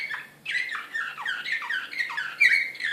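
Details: Serbian Slavujar canary, excited, recorded in Belgrade in 2016: a loud, continuous string of downward-sweeping whistled notes, each sliding from high to lower pitch, with a bright sharper accent near the end.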